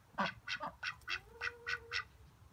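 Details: Ducks quacking: a run of seven harsh, nasal quacks at a steady pace of roughly three per second, with a faint drawn-out tone and low background rumble underneath.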